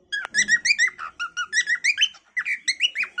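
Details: Cockatiel giving its natural calling song: a fast run of short whistled notes with rich overtones, each sliding up or down, about a dozen notes in a bit over three seconds with one brief pause.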